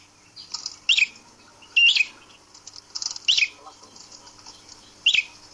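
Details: High, clipped chirps from a caged prinia hung up for taming, five short notes spaced unevenly over several seconds in quiet surroundings.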